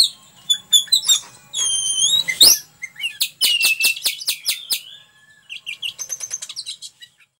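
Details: Gacor magpie-robin masteran song: whistled and slurred notes, then a run of rapid repeated sharp clicking notes, ending in fast fainter chattering.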